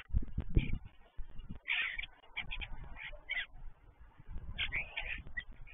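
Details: Five starlings visiting an empty stork nest give harsh, chattering bursts and squeaky whistles in quick irregular runs, over low rumbling background noise.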